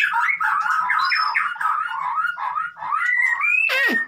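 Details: White-rumped shama in 'konslet' style song meant to coax a silent shama into singing: continuous rolling warbled phrases in a fairly low register, ending in a sharp downward-sweeping note, with a faint low hum beneath.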